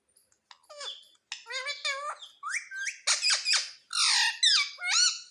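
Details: A talking rose-ringed parakeet repeating human words such as "mummy" in a room, producing a series of raspy, harmonic, speech-like syllables that rise and fall, with no other sounds.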